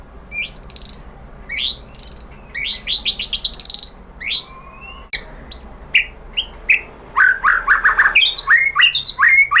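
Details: Lure song of a white-rumped shama for provoking rival shamas: sharp high downslurred chips and buzzy clusters, scattered whistles, then a burst of dense rapid notes near the end.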